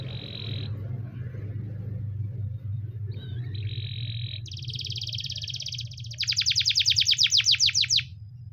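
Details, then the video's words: Canary training song, labelled Russian canary singing (Belgian canary): clear high whistled notes, then a fast buzzy trill and a loud run of rapid sweeping chirps, over a steady low hum. "Russian canary singing"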